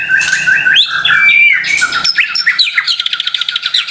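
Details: White-rumped shama song to trigger silent birds: harsh, buzzy squawking phrases with a steady whistle, ending in a fast, rattling series of short repeated notes.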